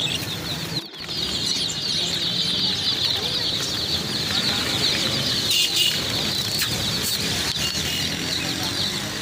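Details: Numerous chicks peep nonstop in a thick, high-pitched chorus, with a brief rustle or flapping sound near the start.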